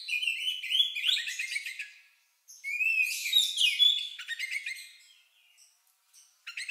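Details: Unusual song of an Oriental magpie-robin, compared to a lovebird and used to spur other birds to sing: rapid chirps and whistles in two bursts split by silence, then scattered short notes and a final chatter.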